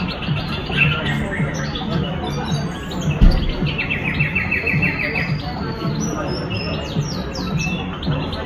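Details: A song thrush in Tashkent on 22 February 2022 sings short, bright phrases, one note repeated several times in quick succession, over a steady low rumble of town noise.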